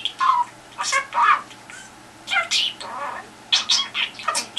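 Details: Budgerigar indoors, calling to a telephone hoping for a response: separated clusters of scratchy, nasal chattering notes with gaps of near-silence between them.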